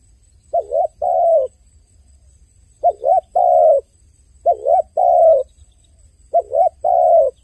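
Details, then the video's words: Dove crying: four paired coos, each a short wavering note followed by a longer smooth coo, spaced about two seconds apart over a quiet background. "The sound of a dove crying សំឡេងសត្វលលកយំ"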